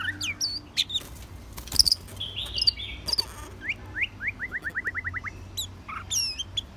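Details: White-rumped Shama singing varied loud whistled phrases and sharp high notes, then a fast run of about ten quick rising notes, closing with more bright whistles.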